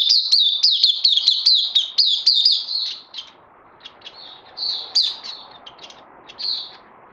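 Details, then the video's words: Oriental white-eye, locally called Puteh, recorded 31 May 2020: fast run of high, sharp down-slurred chirps for three seconds, then scattered shorter twittering bursts with pauses over a faint low background hiss. "Puteh Crazy LG"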